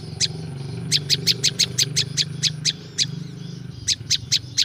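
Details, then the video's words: Wild prinia recorded in nature for luring wild birds: bursts of sharp, high chips in uneven runs with short gaps, over noticeable low rumbling background noise. "SUARA BURUNG PRINJAK LUMUT"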